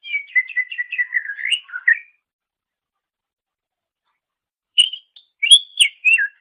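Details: Greater green leafbird (cucak ijo) master song for training songbirds: a fast rattling run of repeated whistled notes, a long pause, then a few loud sliding whistles.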